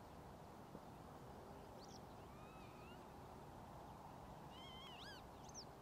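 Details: Northern lapwing (Vanellus vanellus) at Ljubljana Marsh, Slovenia, on 13 April 2024, giving several faint, wheezy slurred calls that rise then drop, clustered toward the end, over a steady low rumble.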